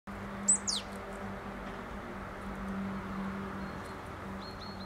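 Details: A Marsh Tit feeding on sunflower seeds on an October afternoon (12 October 2010) gives a sharp, high note sweeping quickly downward, then a shorter second note and faint thin calls, over a low steady hum.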